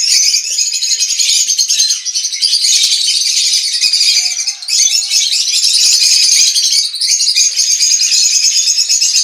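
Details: Green-cheeked conures (Pyrrhura molinae) in an aviary in the morning fill the air with dense, high, scratchy chattering and chirps, a constant overlapping flock din with no pauses.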